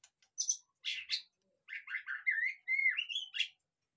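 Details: White-rumped shama lure song intended to start a caged bird singing; harsh high squawky bursts lead into smooth rising whistles and fluty slurred notes, ending in a sharp note.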